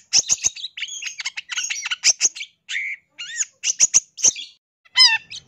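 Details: Master recording of a long-tailed shrike for song training, full of mimicked fill-in phrases: staccato clicks and chatter, then downslurred whistles and a final rich rising note.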